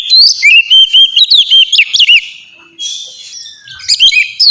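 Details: Oriental magpie-robin pet bird in 'ngeplong' song for training other birds: a rising series of clear repeated whistles, a pause, then a short bright phrase.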